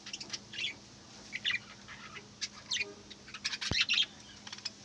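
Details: Busy budgerigar twittering, many short chirps and buzzy notes overlapping in rapid succession, with a click near the end and steady background hum.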